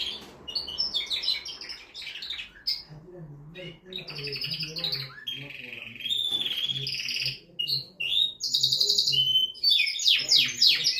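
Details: Canary song meant to excite a female into mating, an energetic medley of rapid trills, bright whistled notes and rattling phrases with short gaps, over a faint low hum.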